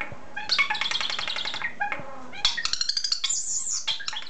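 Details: Caged pet common starling talking and singing: rapid rattling trills and buzzy chatter, a short pause, then rising squeaky phrases and electronic-sounding warbles, its mimicry-like medley varied and loud.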